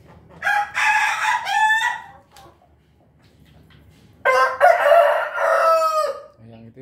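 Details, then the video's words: A Bangkok gamecock crows twice, each a hoarse, broken cock-a-doodle-doo under two seconds, near laughing chickens that are feeding. "itu suara ayam bangkok."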